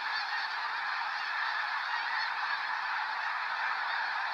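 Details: Snow geese lifting off near Sacramento National Wildlife Refuge in November 2018, a dense unbroken chorus of many honking calls overlapping into a steady roar with no pauses or other sounds.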